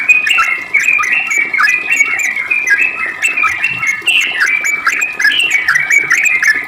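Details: Sooty-headed bulbul ropel song used to coax other bulbuls into replying: packed, unbroken flurry of loud whistled notes with rising and falling slurs, almost no gaps, over a faint hum.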